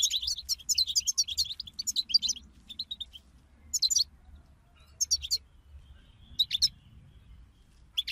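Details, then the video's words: Several goldfinches in a group chorus meant to push a quiet goldfinch into song; a rich burst of rapid, high tinkling twitters opening, then separate short chirp clusters every second or so. "أخرج حسونك من صمته واكتشف التغاريد المخفية لديه.. بتبتة رهيييبة وتحفيز خراااافي"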